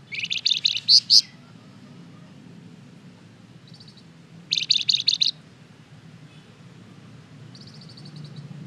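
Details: Flamboyan lure song for drawing replies from other birds: rapid clusters of high, buzzy chirps delivered in short bursts with quiet gaps, one fainter burst between, over a soft low background hum.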